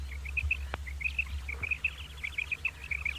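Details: Common quail giving its morning call: repeated quick high triplet notes in a rhythmic series, faint against a low hum, with one sharp click.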